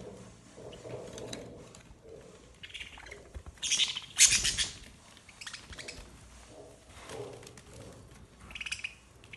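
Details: Pet budgerigars fighting over broccoli give harsh, scratchy squawks and chirps, with a loud burst of grating calls midway.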